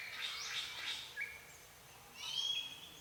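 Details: Forest birdsong from Phu Sing, Sisaket, Thailand: soft high twittering, a brief rising whistle, then a louder ringing trill, all faint over a quiet outdoor background.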